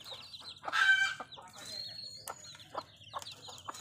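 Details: Village hen tending baby chicks, giving a louder cluck burst early, then scattered low clucks, with the young birds' high sliding peeps running throughout.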